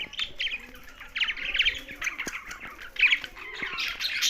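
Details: Pet budgerigars sharing space with a parrot make rapid chattering chirps, rattling trills and squeaky notes, rising into louder bursts toward the end.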